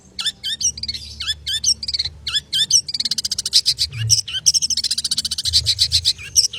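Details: Fast, busy 'konslet' song of a long-tailed shrike, delivered energetically: sharp high slurred chirps alternate with bursts of rapid rattling trills, forming a continuous, tightly packed high-pitched stream.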